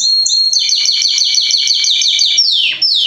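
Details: Belgian canary delivering a rich, rolling trill of layered, buzzy notes pulsing steadily, ending with a smooth downward-gliding whistle and a fresh start of the phrase.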